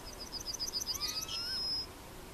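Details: Yellowhammer, Emberiza citrinella, recorded at Plochocin in July 2013: a rapid run of short, high, even notes ending in a drawn-out thin whistle, with lower rising harmonic sweeps from another caller.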